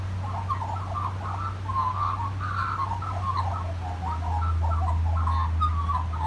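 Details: Magpie singing at a family home, a continuous run of short warbled and fluted notes that jump up and down in pitch, over a steady low mechanical hum.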